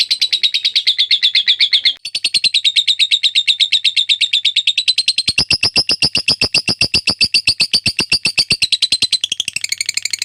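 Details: Long ngekek trill from a lovebird, meant as a tutor track: rapid shrill pulses about four per second at first, a short gap, then a denser, louder, higher rattling chatter for eight seconds.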